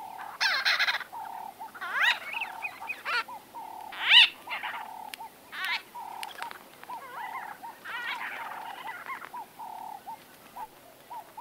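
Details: Conversation of white-fronted bee-eaters recorded at close range: repeated short arched mid-pitched notes throughout, punctuated by rasping chatter bursts and a single piercing high squeal.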